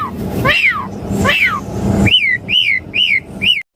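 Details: Asian pied starling sound played to caged birds to draw an answering song: two broad rising-and-falling whistled sweeps, then four short arched whistles about half a second apart, over a low hum.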